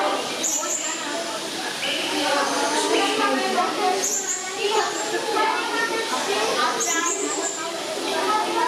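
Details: Blue-crowned hanging parrot (Loriculus galgulus) at Zoo Schönbrunn, Vienna, giving thin, very high, sharp chirps every few seconds over a steady murmur of visitors' voices and children.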